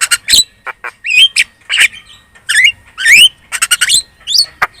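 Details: Javan myna giving a lure song to draw replies from other birds: loud harsh squawks mixed with rising whistled slurs and short clicking notes in quick, irregular bursts.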